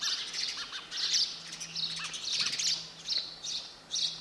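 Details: Sparrow calling with high, sharp chirps and short squawky notes in uneven clusters, fairly loud and continuous, over a soft, steady low hum.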